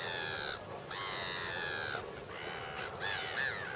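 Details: Flock of lesser flamingos (Phoeniconaias minor) at Lake Nakuru, Kenya, summer 2011: harsh, nasal, goose-like honks overlapping almost continuously, some rising and falling, with a low background hum.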